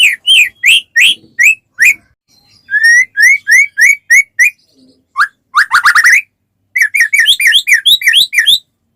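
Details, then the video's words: A white-rumped shama song used to spur other shamas into singing: rows of sharp upslurred whistles, a sweeping whistle, a dense rattling buzzy burst, then a fast series of bright chirping phrases. "suara burung murai batu gacor sangat cocok buat pancingan murai batu agar cepat bunyi ikut gacor"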